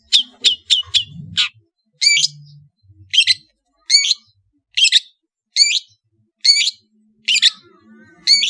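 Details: Long-tailed shrike from Madura, Indonesia, in full varied song: sharp, buzzy high notes in bursts, a quick run of four short notes followed by evenly spaced harsh chattering phrases roughly every second.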